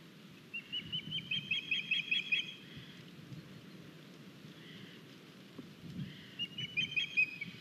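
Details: Osprey at a nest in Estonia, 9 August, as one of the young arrives with a big fish: two bursts of high, thin, rapid whistled chirps, each lasting about two seconds, separated by a pause over steady background noise.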